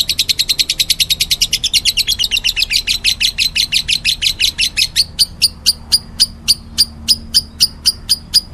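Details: Meloloh lovebird: quick, buzzy chirping run that gradually slows, shifting to well-separated sharp single chirps after about five seconds.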